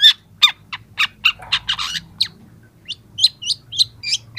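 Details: A young long-tailed shrike sings a training recording meant to lure young shrikes: a falling series of sharp notes, a harsh rasping stretch, then quick rising chirps repeated in a brisk run.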